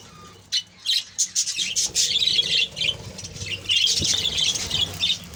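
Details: A budgerigar colony starting with a few sharp squawks, then building into steady overlapping high chatter and warbling.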